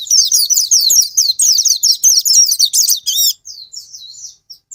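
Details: Oriental white-eye singing a stimulating lure song for birds that refuse to sing: a dense rush of high chirps and trills for three seconds, then quieter thin slurred whistles.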